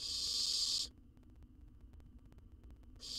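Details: Nestling owl in a camera-monitored nest box in Israel, fed a jird, gives one loud, noisy hissing screech that stops abruptly, then near silence before another hiss begins.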